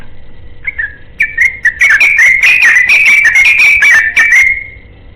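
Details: Yellow-vented bulbul singing a long 'ropelan' run while looking for a companion: a few short whistled notes, then a rapid, bubbly stream of bright warbled whistles wavering around one pitch for about three seconds, over a faint steady hum.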